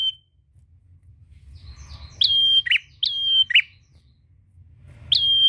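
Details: Prinia challenging a rival, sung to trigger other prinias: after a quiet start come three high, level whistles, each ending in a short buzzy note, over a soft low background rumble.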